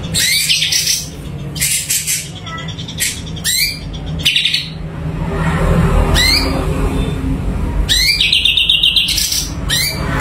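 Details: Sumatran leafbird, locally cucak cungko, singing energetically: repeated rising whistled sweeps and chattering bursts, ending in a rapid trilled phrase, with a constant low hum beneath.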